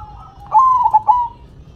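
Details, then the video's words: Zebra dove (perkutut) singing while shaking its head: one quick phrase of clipped, mellow coos near one pitch, broken by short stutters, lasting under a second, over faint background cooing. "Perkutut BERDZIKIR, Manggung nya Geleng -geleng Kepala"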